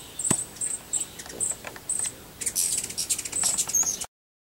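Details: American goldfinch feasting on sunflower seeds, a steady run of loud, high, thin chirps about every quarter second, mixed with sharp clicks and crackles, ending abruptly.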